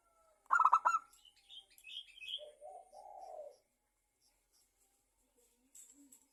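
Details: Actively singing local zebra dove as a lure for other doves: one sharp burst of quick notes, then faint higher chirps and a low rolling coo, followed by near silence.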